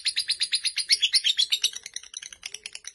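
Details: Fighter lovebird giving fast, harsh chattering: rapid shrill pulses close together, loudest in the first half.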